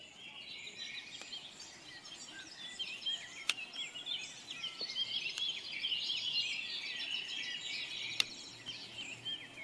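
A dawn chorus of many small birds, with high, quick chirps and twittering phrases overlapping continuously. A few sharp clicks break through a soft background hiss.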